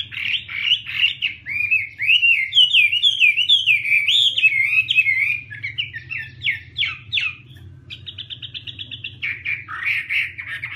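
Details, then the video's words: Chinese hwamei singing a loud, varied run of warbled, sliding whistles, then a quick series of identical clipped notes, followed by more rich warbling phrases. "Garrulax canorus/ Birds singing"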